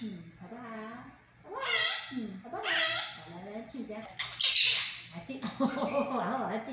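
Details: Captive monk parakeet imitating human speech in Chinese, a fast chatter of wavering, nasal syllables with strong harmonics that runs into harsher squawky phrases near the end.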